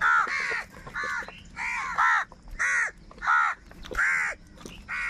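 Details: Angry crows fighting for food give very loud, harsh, hoarse caws in a steady series, about seven in five seconds. Each is a drawn-out nasal note with a slight downward bend, separated by short gaps.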